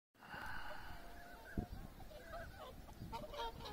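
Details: Flock of tundra swans on the Abukuma River floodplain in January 2021, with many ducks nearby, gives soft bugling honks, several birds overlapping in a steady chorus over low rumbling wind or water noise.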